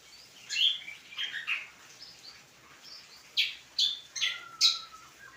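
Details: Greater green leafbird (cucak kombo) song: bright, high chirps and short whistled phrases given in loose clusters with pauses, ending with a long steady whistle, against a quiet background.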